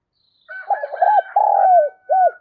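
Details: Decoy spotted dove cooing to attract wild doves. One phrase of stuttering notes, a long falling coo and a short final note is heard over a thin, steady higher-pitched tone and faint other calling.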